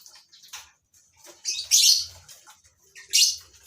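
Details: Two loud, harsh screeches rise above softer scattered chirps from lovebirds kept in a breeding colony, with faint low rumbles in the background.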